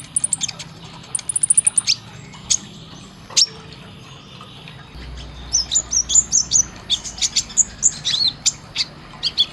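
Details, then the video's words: Sunbird, called kolibri ninja, from a training recording for caged birds: a quick high trill, scattered sharp chips, then a lively run of high whistled notes. "Isian Tembakan Suara masteran kolibri ninja konin Gacor Tajam"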